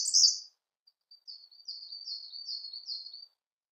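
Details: Siberian blue robin song: a loud, high buzzy burst, then a string of thin, soft notes building into short repeated chirpy phrases.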